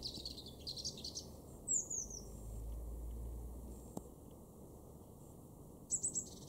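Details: European robin in a garden in Weener, East Frisia, northwest Germany, October 2022, giving high, thin, wavering notes and a quick falling whistle in short bursts separated by pauses, over a low background rumble.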